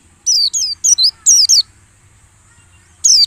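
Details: A white-eye's lure call, used during the early-morning dew period to draw birds in: quick bursts of high, thin, sweeping chirps, four short phrases in about two seconds, then a pause and one more burst.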